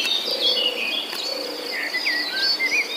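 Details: Baby birds left in the nest as their mother hunts for food: wavering high squeaks and short curling whistled notes, several overlapping, with a persistent insect hum and faint low buzzing.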